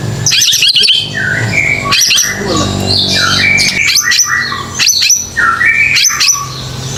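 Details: White-rumped shama song used as a lure to get young, recently fledged caged birds to start singing: loud, varied whistled phrases jumping between high and mid pitch, with sharp clicks and a steady low hum beneath.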